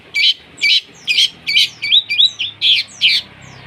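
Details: Long-tailed shrike singing a provoking song with copied fighting-sparrow and lovebird material: harsh, squawky high notes repeated about twice a second, in a rough, uneven rhythm.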